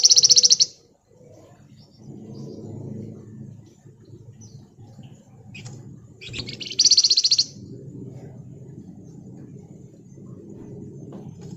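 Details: Pied fantail in full ngebren singing, kept as a lure and tutor bird: two loud bursts of very high, rapid, tightly packed trilled notes about six seconds apart, with a steady low hum between them.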